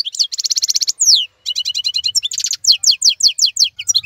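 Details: Varied goldfinch song mixing dry buzzy trills, a long downward slur, and rapid tinkling twitters at high pitch, with faint low rumble beneath; the singer is said to outshine other birds that fall silent in molt.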